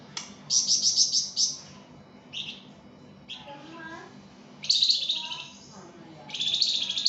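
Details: Flamboyan, the pied fantail, singing hard as a master recording for songbird training: short runs of shrill chirps broken by gaps, with softer lower whistled notes between bursts.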